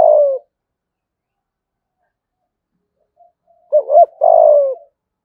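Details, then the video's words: Spotted dove lure call, thúc gù style, used to entice wild doves: one falling coo at the start, a long silence, then a doubled stuttering coo and a long descending crooo. "cu gáy mồi gáy gọi"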